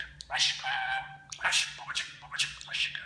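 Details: Pet budgerigar mimicking Turkish speech, with phrases like 'cicim', 'aşk kuşum', 'cici kuş' and kiss sounds. Short raspy, speech-like syllables with harmonic warbles, separated by brief pauses, in a quiet indoor room with a low hum.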